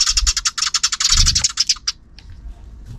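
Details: Afternoon sparrows chattering: a fast run of harsh, high chirps for almost two seconds, then fading to a few faint notes, with a low thump in the background.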